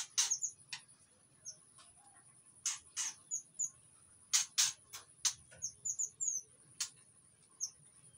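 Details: White-rumped shama in breeding condition, singing to lure other shamas, in Indonesia: sharp, loud broadband chips and short high whistled notes spaced irregularly, with a steady high-pitched tone running throughout.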